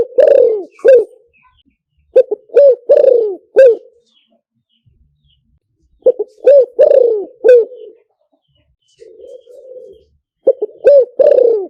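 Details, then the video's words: Spotted dove calling for luring: four rhythmic cooing phrases, each of clipped notes leading into a long descending croo and a final short coo. They come roughly every three to four seconds, with a soft murmur in one gap. "เสียงต่อนกเขาใหญ่หมานๆ, เสียงนกเขาใหญ่ใช้ต่อลำโพงหมานๆเสียงชัด"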